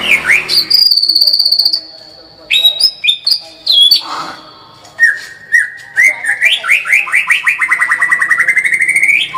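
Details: White-rumped shama singing vigorously in the tembakan style: a clear high whistle, a pause, then varied short whistled notes and a run of quick rising notes that climbs steadily toward the end.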